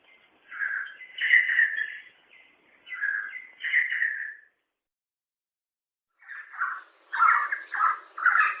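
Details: Red Spurfowl, quacking k-or-quack notes in short doubled phrases, a silent gap of about two seconds, then a faster run of harsh, clipped notes.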